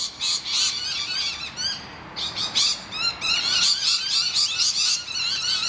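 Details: Rainbow lorikeets in a confrontation with noisy miners at their nest hollow, giving near-continuous harsh screeching, about four rasping calls a second, overlapping and layered, with a brief dip in the middle.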